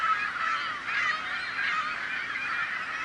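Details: Noisy seagulls calling together, said to make such noise to scare off predators; thick, continuous clamour of overlapping nasal cries, a few clear slurred notes standing out near the start.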